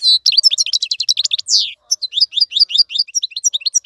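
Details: European goldfinch song used to tutor young birds, fast liquid twitters and a descending buzzy slur, followed by a brief pause and renewed sharp chirping.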